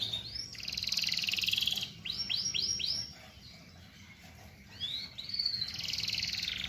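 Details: Canary singing: bursts of high buzzy trilling broken by series of arched, repeated swooping syllables, with a quieter pause midway before the rapid high song resumes.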